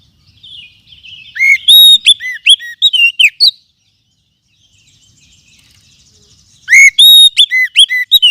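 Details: Lure and tutoring sound of a forest oriental magpie-robin: a burst of sharp whistles with down-slurred and up-slurred notes, a quiet pause with faint twittering, then another loud whistled run.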